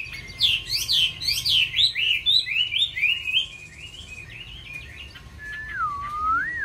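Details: Caged Chinese hwamei pouring out a fast series of bright, wavering whistles, roughly two a second, then a quieter spell ending in one long, smooth, swooping whistle that dips and rises.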